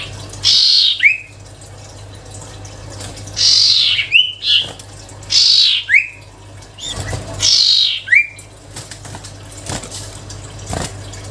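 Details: Sirtu cipow songbird singing gacor: four harsh rasping phrases, each ending in a short rising whistled note, spaced about two seconds apart, with quieter clicks and a steady low hum behind.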